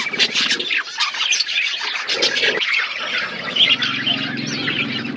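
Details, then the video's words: Flock of budgies feeding in an outdoor aviary gives dense, harsh squawky chirps that overlap almost without pause, with a low steady hum in the background. "Budgies parakeet eating food in outdoor aviary birds chirping sound"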